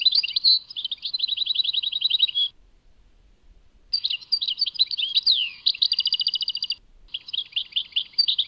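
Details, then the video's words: European goldfinch, Tadmait, singing: twittering phrases that break into fast, regular, rattling trills, with a sweeping whistled note in the middle, three phrases split by short silences. "Chant chardonneret Tadmait"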